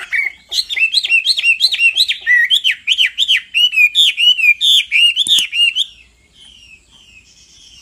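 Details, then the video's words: A male hwamei, called on by a female, repeats rhythmic looping whistled notes in a steady stream for several seconds, then fades to quiet. "Họa mi mái xùy liên hồi kích chim trống căng lửa hót ngay"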